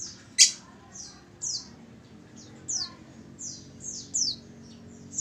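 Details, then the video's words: High, thin falling whistle notes from a female oriental white-eye used as a lure call, repeated around ten times, one loud click-like burst near the start. "pancingan pleci betina"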